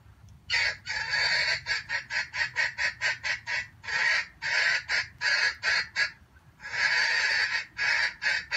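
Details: Wild junglefowl used as a trap lure: loud, harsh crowing bursts repeated in quick uneven pulses, a long run of short chopped notes broken by brief pauses, with low background rumble.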